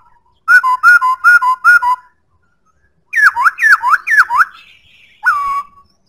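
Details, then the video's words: Black-throated laughingthrush singing a series of four bouncing two-part whistles, then four fast looping down-slurred whistles, a faint buzzy note, and a final falling whistle that levels out. "Khướu bạc má hót cực hay"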